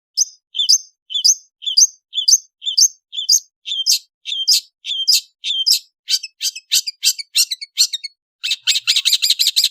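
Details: An Indonesian long-tailed bird in the afternoon repeats sharp, high two-part notes about twice a second, then speeds into a dense, rapid burst of buzzy chirps.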